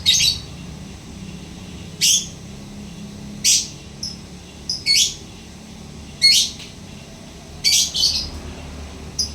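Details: Lovebird repeating sharp, raspy high chirps roughly every one and a half seconds, some doubled, over a quiet background.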